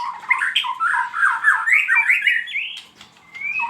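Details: White-rumped shama lure song (pancingan): dense, varied warbling of bright slurred whistles and chatters, phrases rising and falling in quick succession, a brief quiet break, then a clear rising whistle.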